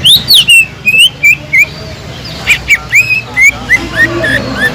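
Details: Sumatran leafbird song played to rouse a dull caged bird: rapid series of short slurred whistles, rising and falling, with brief harsher chips and a faint low hum.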